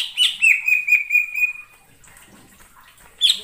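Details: In wild forest, a greater green leafbird delivers a bright chattering burst of high notes over a sustained whistle for about one and a half seconds, then falls quiet before a last sharp note.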